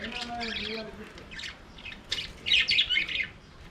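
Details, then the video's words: Budgerigars singing and playing in an aviary: soft low warbling gives way to bursts of fast, scratchy, squeaky chirping that grows louder in the second half. "Budgies singing and playing in their Aviary"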